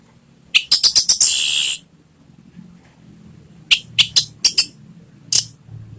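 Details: Orange-headed thrush song used as a lure to prompt a pet bird to sing. Rapid run of sharp, clipped high notes, then a buzzy sustained phrase, followed after a pause by another quick burst of notes.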